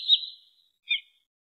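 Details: Wood sandpiper call played as a lure for trapping birds: a high, clear whistled note that trails off over half a second, then after a short silence a brief, sharper two-toned whistle. No other sounds.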